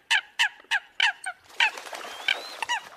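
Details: Eurasian coot competing calls for trapping: evenly spaced loud nasal honks, about three per second, then a busier overlapping stretch with a thin rising whistle.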